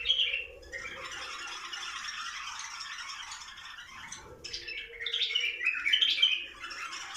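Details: Bulbuls singing to encourage mating: a dense, continuous chatter of overlapping chirps and rattling notes, with a brief pause near four seconds, then brighter, louder phrases.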